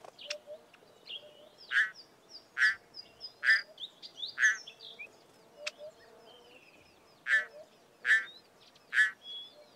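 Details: Pririt batis on a farm in the southern Karoo giving harsh, buzzy, rasping notes in a quick irregular series, roughly one per second, over a background of soft twittering and faint rustling.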